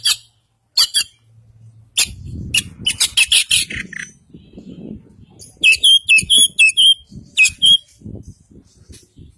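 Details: Oriental magpie-robin, white-breasted Kacer Poci type, East Java, delivering full isian song: rapid harsh chips give way to a string of clear, slurred whistles repeated about twice per second, over low rumbling noise.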